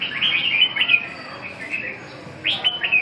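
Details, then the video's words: Red-whiskered bulbul at a song practice session: bright whistled phrases, rising and falling, in quick bursts of several notes, a short pause, then another burst; light background hiss. "dợt cm 1"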